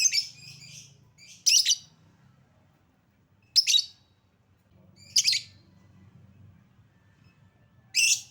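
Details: Lovebird lure recording meant to prompt caged lovebirds to sing: harsh, high, buzzy chirp bursts, a double burst early then single bursts about every one to three seconds, with a faint low hum beneath.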